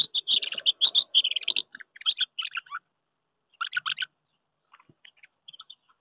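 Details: Common house martins at their nests on a wooden house during May 2023 courtship, with pairs claiming nests and squabbling: bursts of dry, rapid chirruping twitters, then shorter scattered chirps and pauses.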